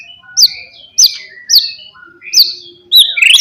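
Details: White-rumped shama singing a lure song to stir rival birds: sharp high whistled notes repeated about every half second, each followed by a lower slurred tail, ending in a longer rising phrase.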